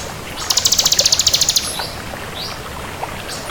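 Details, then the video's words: Crystal-type bar-winged prinia delivering a one-second burst of fast, buzzy, high-pitched pulses. Soft hissing background follows, with a few faint slurred chips. "Suara Burung Ciblek Kristal Gacor"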